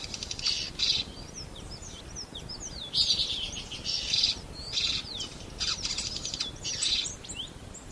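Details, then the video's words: Swallow twittering in bright bursts of high chirps and quick slurred notes over a steady low rumble of background noise. "Ласточка. Голоса птиц Росии"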